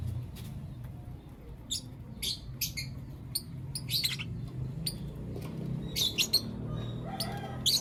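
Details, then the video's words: Lovebirds, blue opaline and lutino opaline, chirping in the morning: sharp, high, scattered chirps and squeaks at irregular intervals over a steady low hum. "Lovebird Chirping Sounds and Call Sounds From Blue Opaline & Lutino Opaline"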